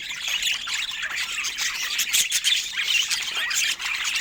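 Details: A busy group of pet budgies squawks and warbles nonstop, with shrill chirps piling over one another and a few louder squawks toward the end.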